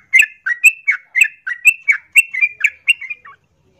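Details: Female yellow-vented bulbul, in breeding condition, calling to a male with a rollicking phrase of about a dozen bubbly, rising-and-falling liquid notes in quick succession before stopping.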